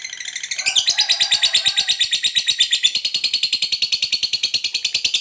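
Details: Fighter lovebird giving a long 'ngekek panjang' chatter, meant to provoke other lovebirds into answering: a brief lower scratchy start, then a rapid, even run of shrill, buzzy notes, about seven or eight per second.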